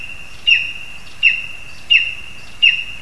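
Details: Lesser spotted eagle calling from a spruce in Zemgale, Latvia, where a frog is brought to the young; four piercing, downward-slurred yelps at a steady pace over a faint continuous hum.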